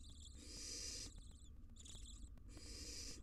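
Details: Wild barn owl mother fighting with her fledgling in a nest box: three drawn-out, rasping screeches with a slightly tonal edge, each near a second long, over a constant low rumble.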